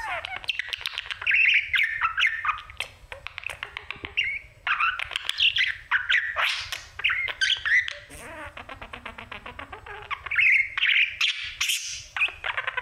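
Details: Budgerigar, a male pet, warbling at his mirror: long rambling chatter of squeaks, clicks and scratchy notes. Near the middle comes a run of fast, evenly repeated ticks, then the squeaky warbling returns.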